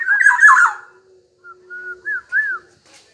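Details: Black-naped oriole (kepodang emas) in full song: a loud harsh, nasal burst, then a pause and clear slurred whistles, two of them arching up and down.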